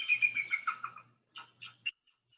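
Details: Recorded bald eagle call: a quick series of high, squeaky piping notes stepping downward in pitch over about a second, followed by a few shorter, separate chirps and a faint low hum.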